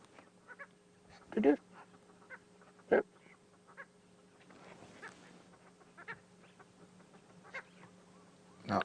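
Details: Purple roller giving a few loud, harsh, rasping, frog-like croaks a second or more apart during a morning safari drive in July 2016, while harassed by a pair of lilac-breasted rollers; steady engine hum and quiet human voices.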